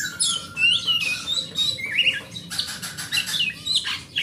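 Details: Kacer, the oriental magpie-robin, a forest-type song used to coax silent magpie-robins into singing; long clear whistles and slurred notes mixed with buzzy rasping bursts, quick changes of pitch, faint low hum.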